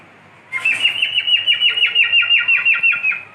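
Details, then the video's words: Pet cockatiel whistling: after a brief silence, a rapid, steady run of bright chirped notes about six per second, level in pitch and carrying on to the end, with a quiet room behind. "My cockatiel | beautiful Whistling"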